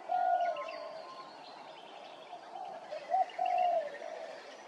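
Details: Grey-crowned Babbler at Hervey Bay, Queensland, giving mellow, slightly nasal whistled notes, a short burst at the start and a quick double phrase later, over quiet rural background.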